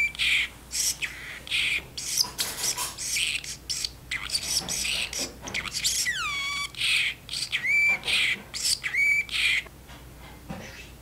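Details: Milo, a pet male talking parrotlet, chatters in rapid harsh scratchy bursts, then gives a high whistle sliding steeply down and two shorter rising-falling whistles while talking back and forth with his owner in the kitchen.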